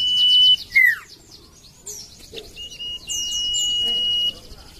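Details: Common iora song with a held high whistle dropping into a falling slur, then after soft chirps a second long steady whistle of about a second and a half. Thin repeated high chirps run in the background.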